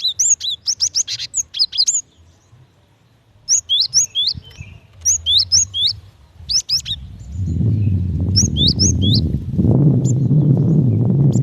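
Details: Female cinereous tit calling the male: fast runs of high, upslurred chirps in several bursts, later accompanied by loud low rumbling noise.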